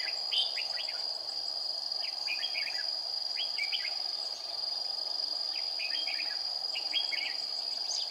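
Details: Red-whiskered bulbul decoy in combative song while trapping, 20 April 2019, temperature 40 degrees. Frequent chirpy, rising and falling phrases follow one another closely against a continuous high-pitched insect drone.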